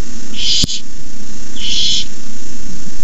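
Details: Barn owl owlets at the nest hiss at night as a parent delivers a rabbit; two loud, airy hisses about a second apart, a short click between, low hum beneath.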